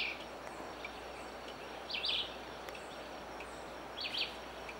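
Squirrel Cuckoo giving short, sharp, high notes about every two seconds over a steady hiss of background noise.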